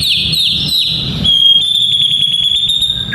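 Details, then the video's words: White-rumped shama song meant for training young males for fighting: rapid trilled whistles, then one long, steady, high whistle held for nearly two seconds, faint low noise behind. "Murai Batu Fighter - Suara Ini Melatih Mental Fighter Murai Muda"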